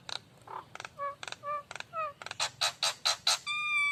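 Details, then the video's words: Nias hill myna lure song with broad buzzy notes, short whistled slurs, then loud repeated harsh calls and a final sustained layered whistle-like tone. "suara Pancingan burung jalak Nias"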